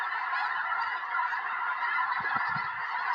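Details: Hundreds of snow geese landing beside a Tennessee home on January 21, 2026, days before a major snowstorm; an unbroken mass of honking, with low bumps toward the end.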